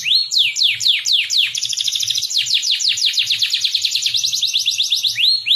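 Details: Lure recording for young canaries learning to sing: a loud, continuous, rapid series of high notes sweeping downward, speeding into a dense rolling trill, with soft low knocking underneath.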